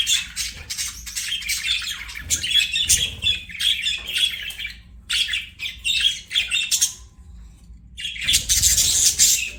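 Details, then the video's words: Pet budgerigar chattering: rapid pulsed scratchy chirps and buzzy warbles in several bursts, with short silent gaps between phrases. "BUDGIE CHIRPING SOUNDS"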